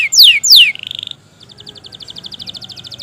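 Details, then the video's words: Canary singing constantly at length, played as a lure to stir reluctant canaries into song: two loud, sweeping downslurred whistles, a short buzzy note, then a fast, soft rattle of rapid repeated high notes. "pancingan suara burung kenari gacor panjang"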